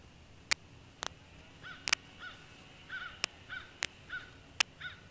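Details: Bald eagle nest in Northeast Florida on 21 January 2016, with two eaglets hatched in December 2015, seen preening and sitting up: a run of short, thin, downslurred chirps, several in quick pairs, among sharp knocking clicks.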